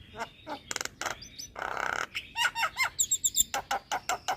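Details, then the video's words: Varied Javan myna song for luring and training moulting mynas: buzzy bursts, a long rasping note, quick whistled warbles and fine high trills, then repeated dry chucks. "Kicauan Jalak Kebo Full Manggut2 Buat Pancingan Dan Terapi Jalak Mabung"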